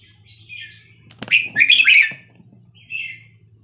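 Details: Red-whiskered bulbul singing a Vietnamese-style song, numbered 3-4-5-6-7, played to teach young birds and excite them. A short click comes first. Then a bright, rich, warbled phrase, framed by softer whistled notes before and after, over a faint low hum.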